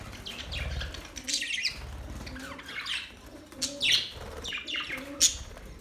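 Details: Budgies chirping and warbling in scattered high notes, some sweeping down, with quieter gaps and faint low background rumble.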